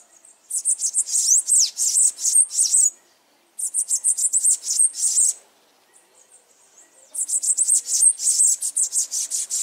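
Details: Bananaquit song: three bursts of very high, thin, hissing and sibilant notes, each burst about two to three seconds long of rapid buzzy trills and squeaks, separated by short silences.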